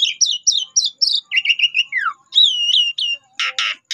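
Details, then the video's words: Lure song of the jalak suren, or Asian pied starling: a quick series of paired chirping notes, a downslurred whistle, looping whistled phrases and two closing harsh bursts. "Cukup 3 Menit Saja Jalak Suren Bakal Nyaut Dan Ikut Gacor Dengan Pancingan Jalak Suren Ini"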